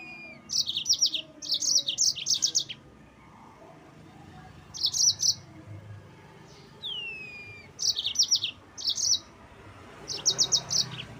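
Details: Rolling yellow-fronted canary song played to stir up rival birds: repeated clusters of fast, bright trilled notes about four per second, separated by short pauses and a couple of downward-sliding whistles.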